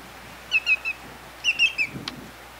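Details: Two quick bursts of three sharp, bright, descending whistled notes from a greater yellowlegs, followed by a brief click, against a quiet background.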